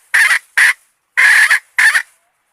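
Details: Decoy red junglefowl hen for luring males gives four loud, rough clucking notes, the first and third longer and drawn out, the others short, with brief silences between them.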